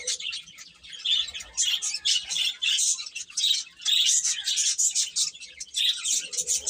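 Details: Baby chickens peeping, repeated shrill high cheeps in waves of loudness from a group of birds.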